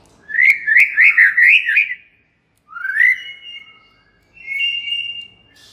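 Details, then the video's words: White-rumped shama song aimed at provoking other shamas: a warbled whistled phrase with two sharp clicks, then two long drawn-out whistles separated by silence. "99% murai JENIS APAPUN pasti NYAUT EMOSI dan GACOR berkat kicau Murai batu ini"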